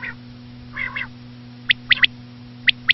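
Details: Common quail, named as a female, for quail hunting: a nasal, buzzy double note, then sharp three-note phrases and a pair of clipped notes, against a steady electrical hum.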